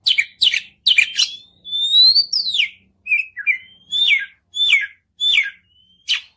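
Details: White-rumped shama song used to stimulate another bird to sing: sharp chips and buzzy notes, long rising whistles, then repeated falling whistled phrases about every half second, clean with no other sounds.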